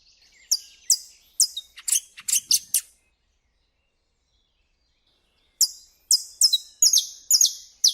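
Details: Saffron Finch (Canário-da-terra) singing in nature in Brazil: two bursts of sharp, high, downslurred notes in quick uneven series, separated by about three seconds of silence.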